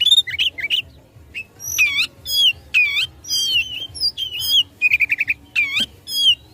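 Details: Oriental magpie-robin fighting song aimed at provoking rivals: bursts of looping whistles and deep downward sweeps, plus a short run of rapid repeated notes.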